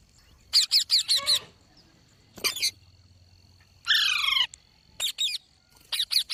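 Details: Green parrot, known locally as mitthu or tota, giving loud harsh squawks in short bursts of three to four notes, with a longer raspy screech near four seconds and a steady faint background hum.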